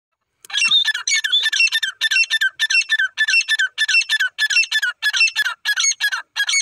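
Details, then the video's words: Desi teetar (francolin) kept by its owner, calling in the morning: a long rapid run of loud, harsh, squeaky notes, about 100 a minute, each with a rising whistled tone, packed together with no pauses, and nothing else heard. "my desi teeter bird ki beautiful sound"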